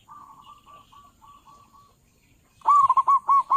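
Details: Zebra dove, local bird with a loud voice, calling as a lure for dove trappers: faint, evenly spaced cooing notes, then a loud sequence of rolling, bubbling coos at the end.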